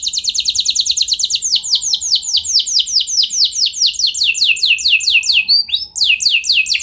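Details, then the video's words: Canary singing a long rolling lure song meant to set other canaries singing: a rapid chain of high, sharply falling whistled notes that quickens into a dense trill near the end, with a brief break in the pattern. "Pancingan Burung Kenari Nembak Mantap! Buat Kenari Lain Pasti Langsung Ikut Gacor Ngeroll Panjang"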